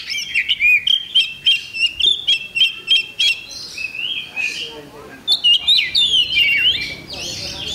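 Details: Oriental magpie-robin at a bird-singing contest on 8 October 2020, repeating short, punchy whistled notes in quick series, then flowing into longer warbled and chattering phrases.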